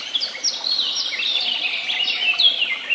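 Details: Busy woodland bird chorus at Tehidy Woods: continuous high tweeting and fast warbled phrases from several birds, one clear downward-sliding whistle standing out, with little else audible.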